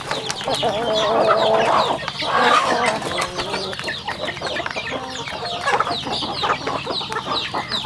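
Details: Chickens eating on a rural home farm: a low, wavering clucking murmur with drawn-out tonal notes early on, beneath a steady patter of high peeps and pecking clicks repeated about three times a second.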